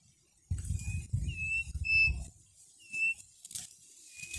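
Quail giving thin, high, even-pitched peeps, five brief notes spaced irregularly over four seconds, over low scratchy scuffling in the first two seconds.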